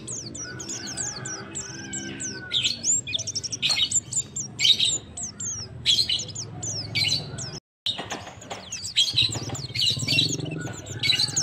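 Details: Male white-eye calling the female: a long run of thin, high downslurred chirps and dense twittering bursts over a steady low hum. A brief silent gap falls midway.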